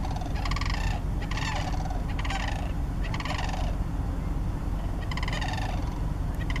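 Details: Sandhill cranes near Shillapoo Wildlife Recreation Area, Washington: loud, rattling, bugling calls in bursts about once a second, partly masked by strong low wind rumble throughout.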